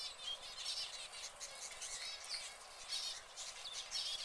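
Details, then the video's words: Caged canaries sing together in a steady stream of high, rapid chirps and trills, with bursts every half-second or so and no pause. "Canaries Singing"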